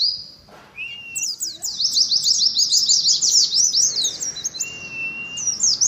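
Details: Oriental white-eye in ngalas song. After a brief high note and a short whistle, a long burst of quick, high, rippling twitters follows, with a flat whistle held underneath.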